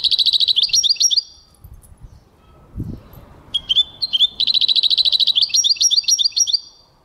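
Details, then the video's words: Singing goldfinch, 2023, delivering fast bursts of tinkling, buzzy notes, breaking off for about two seconds with a soft low thump, then resuming with a drawn whistle and another long twittering run. "goldfinch singing chardonneret jilguero singing"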